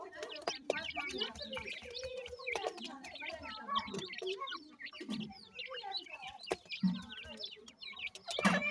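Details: Francolin chicks during feeding, giving a dense chorus of short high chirps and peeps, overlapping, with lower soft clucking notes and scattered clicks throughout.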